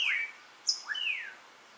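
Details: Melodious blackbird at Xpujil, Mexico, in song; a brief phrase of loud clear slurred whistles, one falling, then a sharp high note and a rising-then-falling whistle, in a quiet setting.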